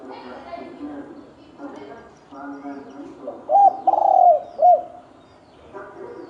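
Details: Spotted dove ('thổ đồng') in a 'kích trống, kích bổi' fight. Murmured sounds open the recording, then one clear three-part cooing phrase: a short arched note, a long rough falling coo and a short hooked coo.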